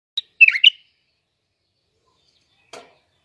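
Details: Bulbul singing in Iraq: a short burst of bright, quick warbled notes, followed after a pause by a single faint click.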